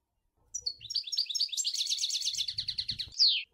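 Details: European goldfinch singing in the sour el gouzlane style: a dense, rapid twittering run of buzzy, tinkling notes lasting about three seconds, closing with one sharp, descending squeal.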